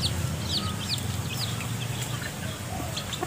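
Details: Chicks foraging with mother hens in piles of vegetation litter for earthworms; a steady stream of thin, high, downward-sliding peeps over a constant low hum.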